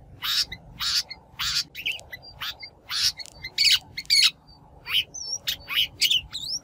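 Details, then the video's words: Shrike harsh calls from a lure recording for trapping or training wild-caught birds; loud rasping squawks repeated roughly twice a second, mixed with thin whistled notes and brief chirps. "Tiếng chim Bách Thanh mồi mới nhất 2023"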